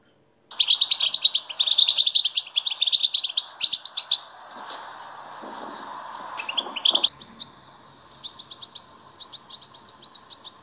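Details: European goldfinch singing to stimulate captive goldfinches: after a moment of silence, a dense, rapid twitter, then a lull with a rushing sound, then a renewed run of short, high, twittering notes.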